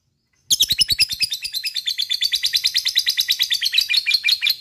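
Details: Long 'ngekek' chatter of a lovebird, meant to provoke others of its kind to sing: after a moment of quiet, a continuous rapid, high-pitched pulsed trill lasting over four seconds.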